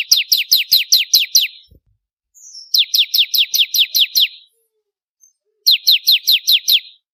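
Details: Training recording of a bar-winged prinia, locally ciblek kristal: three quick runs of high, piercing, downward-sweeping notes, each run lasting about two seconds and separated by short silences.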